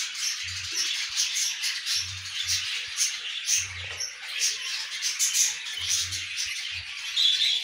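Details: Budgerigar chicks, kept birds: a dense, continuous wash of scratchy, high chirping and chattering from many young birds, with no pauses and a few soft low thumps underneath.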